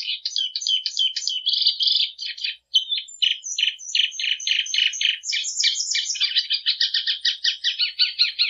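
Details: Plumbeous seedeater (patativa) singing a long, clean song: fast runs of buzzy, chattering notes, then a series of rich repeated syllables and sharp high whistles, ending in rapid pulsed phrases; no other sounds.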